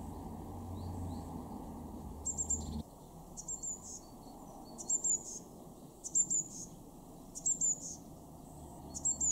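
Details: Eurasian blue tit in a garden at Weener, East Frisia, Germany, February 2023: very high, thin paired notes repeated roughly every second and a half, with a low rumble in the background during the first seconds.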